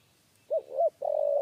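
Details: Spotted dove in the three-note 'kuk 3' style during a trapping session. Two short arched notes, then one long steady coo, all low and mellow. The background is quiet.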